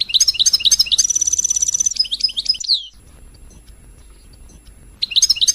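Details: Royal goldfinch song, used to stimulate other birds to sing: rapid high twittering notes, then a dense fast trill about one second long and a downward buzzy slur, a two-second pause, then twittering resumes.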